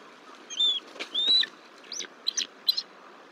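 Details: Wild bald eagle at the Decorah nest on 17 March 2023, during an incubation shift change when the female returns and startles the male. High, thin whistled calls, some drawn out and slurred, then short sharp chirps.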